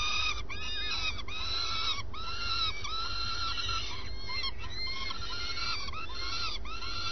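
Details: Common swift at the nest in early morning: a series of nasal, arched calls with rich harmonics, repeated roughly once a second in an irregular rhythm, over a steady low rumble of background noise.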